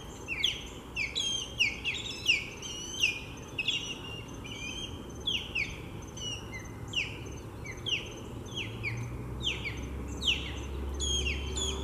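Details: Osprey pair defending a nest with three chicks from an intruder at Lake Seminole Park, Seminole, Florida: continuous excited series of sharp falling whistles, roughly one or two per second, with low rumbling noise late on.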